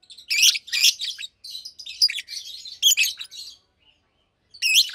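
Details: Two nearly two-year-old caged Fischer's lovebirds singing by day: loud shrill chirps running into a continuous scratchy warble, a pause, then another sharp chirp.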